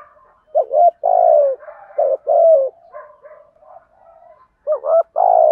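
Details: Caged lure spotted dove giving its morning "thúc gù" calls to lure wild doves: repeated phrases of clipped double coos and drawn-out falling coos, with quieter murmured notes filling the gaps.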